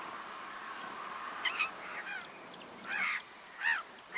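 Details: Black-winged stilt (Himantopus h. himantopus) in the Camargue, France, August 2019, gives a few nasal, yelping notes spaced irregularly over several seconds, over a steady background hiss.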